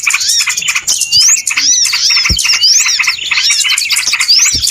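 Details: A noisy flock of small birds on a lure recording for bird trapping, giving crowded high chirps, sharp rising whistles and a few harsh squawky notes, with occasional low thumps.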